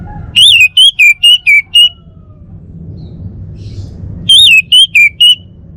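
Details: Kept male Bali orange-headed thrush, North Bali near Singaraja, delivering two bursts of ringing whistles, each a looping opening note followed by four or five short clear whistled notes, separated by a two-second pause, with faint low rumble behind.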